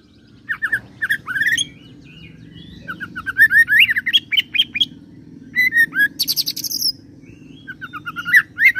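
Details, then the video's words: Oriental magpie-robin mixing cililin and serindit imitations into its song; varied rising whistles and slurs in quick succession, a high ticking burst near the end, and a persistent low hum. "KACER ROLL CILILIN SAMBUNG SERINDIT"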